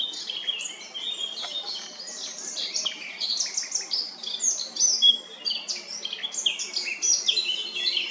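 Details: Eurasian blackcap singing a varied mix of bird songs in Remscheid, Germany, on 10 June 2022: dense continuous high twittering with quick chirps, short whistles and scratchy notes, steady faint background hiss.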